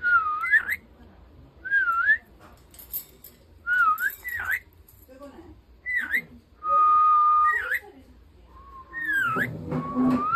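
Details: Indoor whistling contest of a pet rainbow lorikeet against a person: short swooping whistled phrases repeated roughly every two seconds, then a long flat whistle, ending with a woman speaking beneath a final whistle.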